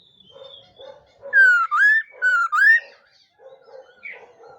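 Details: Laughingthrush singing in the morning as voice training: two loud, clear whistled phrases, each a slurred note dipping then rising, given back to back and framed by soft low chattering notes before and after.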